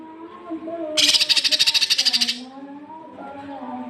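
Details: Cucak kinoi masteran for training young birds: a single burst of about fifteen fast, harsh, buzzy pulses lasting over a second, set against a soft low tonal drone.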